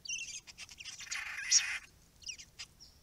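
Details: Close, noisy White-browed babbler chatter at a pond: quick rasping squeaks and a longer buzzy burst in the middle, then short squeaky notes, with a quiet background.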